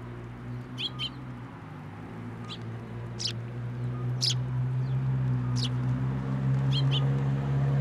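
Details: Sparrows flying in to a feeder in a plum tree at a Tenmangu shrine, 10 July 2024; short, sharp high chirps, about seven scattered through the stretch, over a steady low hum.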